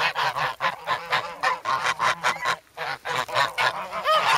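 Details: Grown goslings call noisily while pecking at a visitor with bread, in the snow at Sloterpark, Amsterdam, recorded with a Sanyo-SH1 on 3 February. Regular harsh honks follow one another quickly, broken by one short lull.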